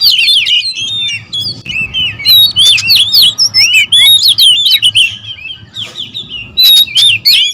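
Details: Oriental magpie-robins, territorial and worked up, several singers overlapping: bright looping whistles and quick chattering notes, roughly three phrases a second, loud and high, with a softer patch near six seconds.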